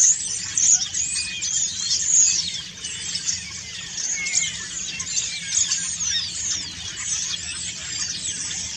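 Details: Autumn song of common starlings as they preen: a continuous, busy jumble of thin whistles, squeaks, rattles and sliding notes, high-pitched throughout, with brief louder whistles early on. Soft low background rumble.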